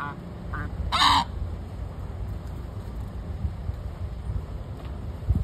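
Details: An angry Australian white ibis ("bin chicken") in urban Sydney gives one harsh, grating honk, preceded by a faint shorter grunt, over a steady low background rumble.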